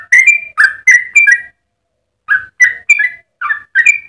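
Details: Yellow-vented bulbul in vigorous song intended for tutoring or luring other birds: two bursts of quick liquid whistled notes separated by a pause of about three-quarters of a second.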